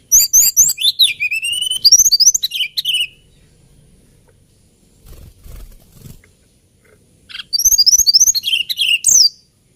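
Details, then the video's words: Hill blue flycatcher in lilting song, two phrases of rapid, high, swooping whistles and downward slurred notes, each lasting a few seconds, separated by a quiet gap with faint low rustling. "TLEDEKAN GUNUNG KICAU MERDU"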